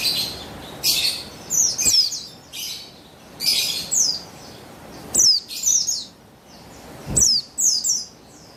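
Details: Female buxtoni Javan white-eye used as a lure to make males sing. Sharp, high, falling chirps come in quick clusters about every one to two seconds, with a faint low thump now and then.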